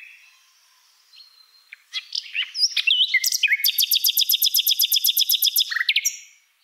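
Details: Common nightingale song that starts quietly with scattered chirps and a few whistled notes, then swells into a loud, fast run of about twenty repeated metallic notes and ends on a falling slur.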